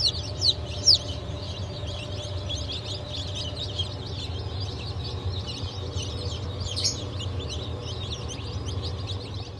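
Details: A crowd of newly hatched chicks of Blue, Light Brahma, Wyandotte, Sebright and Legbar breeds, hatched 07.07.2023, chirp in quick sharp high notes with a few louder bursts near the start, over a low hum.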